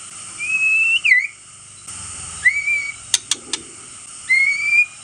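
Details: White-rumped shama song meant to rouse rival males: three long sweet whistled phrases, each slurring upward then dropping, separated by pauses, with a few sharp dry clicks in between.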